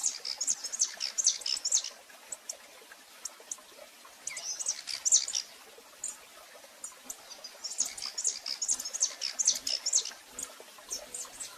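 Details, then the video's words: Female rufous-collared sparrow calling often, recorded live in Brazil: three bursts of rapid, high, thin chirps repeated quickly, separated by quiet gaps, over faint background hiss. "Fêmea de TICO-TICO chamando muito"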